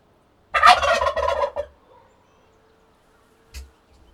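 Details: A turkey lets out a throaty, quickly pulsing gobble of roughly one second, then falls silent apart from a brief soft thump near the end.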